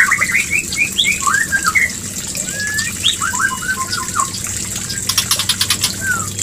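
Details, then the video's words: Breeding-trigger mating call of a White-rumped shama: bright upslurred and looping whistles in quick bursts, a pause, then more whistles, followed by dry rapid clicking and a final falling whistle. "Pancingan murai Kawin"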